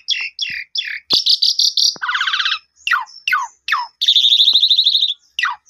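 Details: Full song of an Asian pied starling, used to get a newly purchased quiet bird to respond: looping whistles, fast chattering notes, buzzy rattles and several steep descending sweeps with short pauses between.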